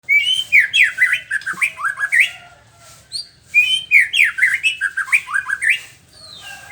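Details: White-rumped shama (murai batu) singing in the morning: loud, fast varied phrases of whistled and slurred notes, rising and falling, with the same rich phrase given twice, separated by a short pause.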